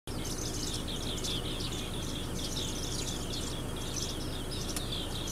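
A flock of green bee-eaters gives a steady stream of high, short, trilled chirps, several birds overlapping, over a heavy low rumble of background noise.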